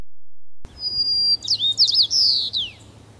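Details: White-crowned sparrow (Zonotrichia leucophrys) song in the Portland, Oregon area: a clear high whistle, then a quick run of buzzy, jumbled notes ending in a falling slur; a faint low hum underneath.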